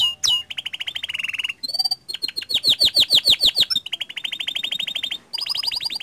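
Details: Energetic canary song meant to stir other canaries into singing: steady rapid trills, a run of loud downward-swept notes about three per second, and a long even rattling roll ending in a higher trill.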